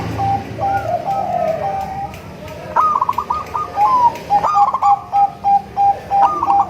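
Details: Song of a local crossed with Bangkok-type zebra dove, used to draw in other zebra doves: soft level cooing, then lively staccato rolling coos in quick repeated bursts, fairly loud and mellow.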